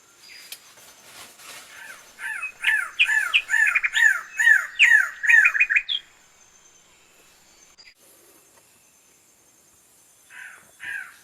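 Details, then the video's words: Greater lophorina in forest: a fast run of about a dozen harsh, downslurred squawking notes over roughly four seconds, then quiet with two brief notes near the end. "Greater lophorina Birds"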